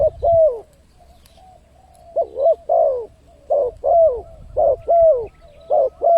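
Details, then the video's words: Spotted dove lure call for bringing in wild birds, crisp mellow coo pairs, short then long and falling, in bursts separated by brief pauses; otherwise quiet. "suara pancingan burung tekukur, untuk mendatangkan burung liar."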